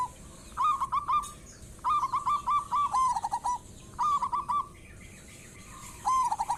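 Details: Local zebra dove in a lure recording meant to get other doves singing: rapid stuttering cooing phrases near one pitch, each about half a second long, in four bursts over six seconds, with fainter overlapping coos from other doves.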